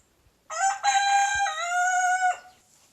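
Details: A young, big brown backyard rooster crows loudly in the morning while a Silkie rooster chases him. It is one full crow of nearly two seconds: a short opening note, then a long, bright, harmonic, slightly falling cry that cuts off sharply.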